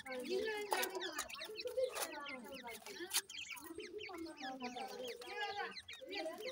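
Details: A brood of grey francolin chicks at the nest gives a continuous chorus of bright slurred peeps over low, drawn-out clucking tones, with a few loud clicks.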